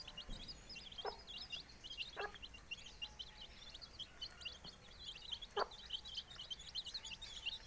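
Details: Four-day-old chicks with the hen that hatched them: a constant chorus of thin, high peeps from many chicks, with a few soft taps and knocks in the background.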